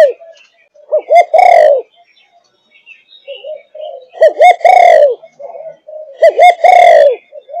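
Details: Spotted dove of Malaysian line, aged five and a half months, cooing thúc gù style: soft lead-in notes followed by two quick bouncing coos and a louder, longer falling coo, the phrase repeated three times about every two and a half seconds.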